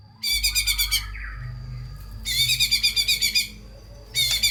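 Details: Energetic full-fill-in White-rumped shama song, used to spur lazy, low-drive shamas: three loud bursts of fast, buzzy rattling notes, each lasting about a second, separated by short pauses.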